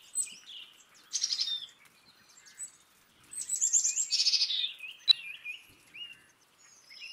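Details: Two rasping, buzzy bursts from a Black-capped chickadee, the second long and slurring downward, with a few soft high chips between them and a sharp click.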